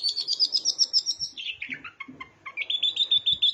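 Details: Long-tailed shrike song imitating bar-winged prinia, a fast run of high chirps about four per second, dipping into lower slurred notes midway, then returning to rapid high repeated chips.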